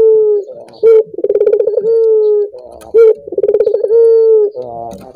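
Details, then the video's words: Collared dove (puter) cooing, used to prompt other doves to sing: a low, fast rolling burst of pulses followed by a long, steady, slightly falling coo. The phrase repeats about every two seconds, with short sharp notes between phrases. "Suara burung puter ini membuat puter anda ikut gacor"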